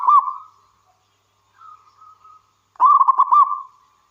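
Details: Local wild zebra dove, recorded as a lure for others: the end of one cooing burst, a soft mid-pitched trailing coo, then a lively fast-pulsed rolling phrase.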